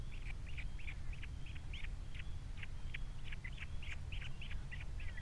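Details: Osprey at a camera-watched nest on Captiva with three chicks, February 2022: a steady run of short, sharp chirps repeated several times a second, faint against a constant low rumble of wind or background noise.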